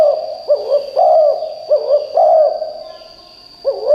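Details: Loud decoy spotted dove used to draw wild birds: strong, hollow, bubbling coos in paired groups, a pause, then another coo. A steady shrill hum stays in the background.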